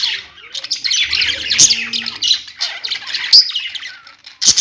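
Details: Home-kept budgies give bursts of bright, scratchy warbling and chirps with short pauses between phrases. A few louder, sharp squeaky notes stand out, and a faint low hum runs underneath.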